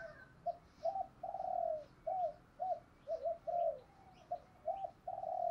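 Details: Spotted dove coos in a lure recording aimed at provoking rivals, heard more distantly: a run of short and drawn-out soft coos over a steady background hiss, with faint high chirps behind.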